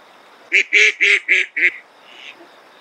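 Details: A flying duck, likely a spot-billed duck, calls in late summer along a river after flooding: five quick, harsh, nasal quacks in a tight series lasting just over a second, followed by a faint softer note.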